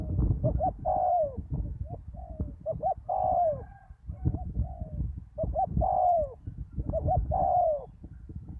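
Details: After a storm, a spotted dove decoy on bare ground and a loud wild dove trade calls: double hoots each followed by a long sliding coo, repeated about four times, with softer coos between and low rumbling noise.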